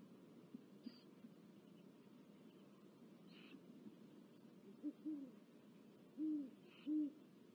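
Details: Great horned owl at a California nest in February 2023, where the adults bring a mouse to four chicks: deep, soft hoots in a short series of low notes about a second apart, over a steady hiss with faint higher rasps.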